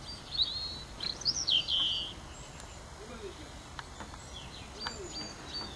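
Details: A long-tailed tit (Aegithalos caudatus) gives a few high, thin, buzzy contact notes in the first two seconds, then quieter ticks and soft calls over a faint background hiss.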